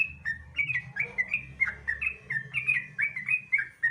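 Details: Sooty-headed bulbul singing non-stop to provoke other bulbuls into song: a rapid chain of liquid whistled chirps, each rising and dropping, over a constant low droning hum.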